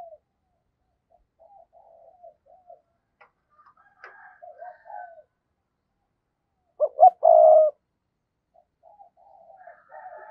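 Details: Decoy spotted dove calling to lure wild doves: soft, scattered low murmurs for several seconds, then one loud phrase of two short coos and a drawn-out coo, with faint coos again at the end.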